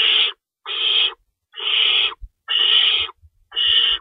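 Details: Feeding time at an owl nest, 3:53 AM, March 25, 2012, an adult staying in to tear up rabbit for the young; five long, rough hissing screeches with faint low thumps and scuffles between them.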